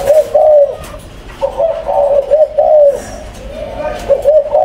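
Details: Spotted dove in a breeding pair kept in cage number four, cooing in clear, soft, slightly downslurred notes grouped into short phrases with brief pauses, little background noise.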